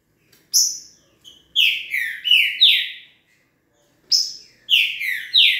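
A green-winged saltator sings two quick bursts of loud, rich whistled notes, each phrase sliding downward, with a high thin note leading in. The background is quiet.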